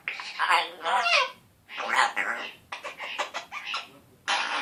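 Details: A one-year-old African grey parrot kept as a pet, talking with a still-scratchy voice: three rasping, speech-like phrases each about a second long, split by short gaps, ending in a rough, breathy burst like a raspberry sound.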